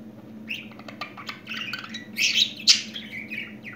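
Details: Newly talking pet budgerigar, kept indoors, gives a rapid run of squeaky, scratchy chirps and warbled notes, with bursts of louder shrill twitters toward the end over a steady low household hum.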